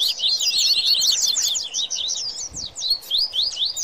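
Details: Dense high chatter from coleiro and papa-capim in an agitated 'baderna' song mix; rapid slurred notes at first, thinning into spaced upswept whistles near the end.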